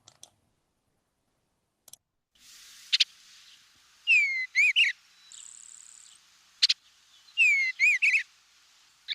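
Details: Eastern bluebird song, a species of old fields, shrubby areas and hedgerows: soft, warbled whistled phrases with the typical quick dry chatter thrown in between the whistled parts, over a faint steady hiss.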